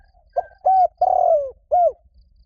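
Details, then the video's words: Spotted dove calling a mate, used as a lure for wild doves: a short coo phrase of four mellow hooting notes, the third longest and slightly descending, in a quiet setting. "CU GÁY GỌI BẠN | TIẾNG CHIM CU GÁY KÍCH BỔI"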